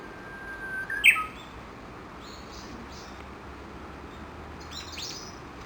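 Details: Japanese bush warbler at Gakushima Bridge, Kawashima, Yoshinogawa, Tokushima, Japan, around 7:30 in the morning, dozens gathered feeding under a chinaberry tree. A long steady whistle breaks into a sharp rising-falling flourish, with faint high chirps later.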